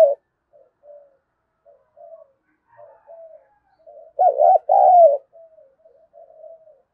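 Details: Cooing spotted dove provoking competition: soft, scattered low murmurs throughout, broken midway by one loud phrase of a rapid double note followed by a drawn-out falling coo.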